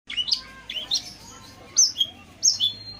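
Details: Long-tailed shrike singing vigorously, used as a lure recording to prompt quiet or stressed shrikes to answer. Sharp whistled notes slur up and down, given in short clusters about every half second, with a faint low hum underneath.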